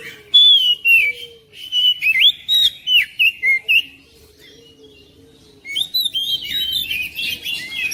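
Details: Kacer, the oriental magpie-robin, singing to stir a reluctant bird at home: clear rising whistles and rapid chirped notes in a run, a quieter gap, then a dense burst of varied twittering.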